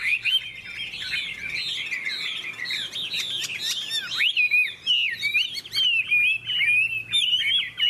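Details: Contest-singing Hwamei, golden-plumaged with a large tail and wing play: a rush of jumbled warbles, then cleaner rising and falling whistles separated by brief sharp clicks and pauses.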